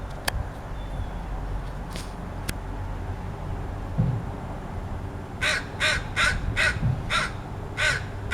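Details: A crow making strange sounds gives a rapid run of seven hoarse caws in the last three seconds, after a quieter stretch with a few faint clicks and a low background hum.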